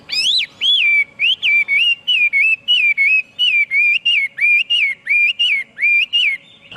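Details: Chinese hwamei song of clear whistled phrases, each a rising swoop then a dipping wavering note, repeated about twelve times in steady succession with short gaps.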